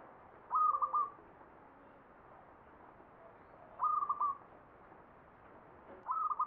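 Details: Perkutut (zebra dove) song in Mataram Jogja ngepat style, three brief phrases of quick, mellow coos broken into stuttering beats, each phrase separated by roughly three seconds of quiet.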